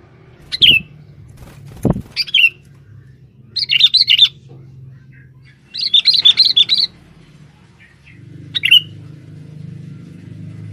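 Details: Male sooty-headed bulbul used as a lure in forest to draw females: bursts of bright, bubbly chirps in quick clusters, some short and single, others rattling runs of five or six notes, with low background rumble.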